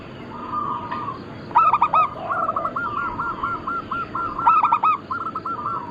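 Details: Group of local zebra doves, Bangkok-cross line, used as a lure and training recording. Two bursts of clipped, stuttering coo notes, each followed by a long rolling run of soft mellow coos, with other doves cooing faintly behind constant hiss.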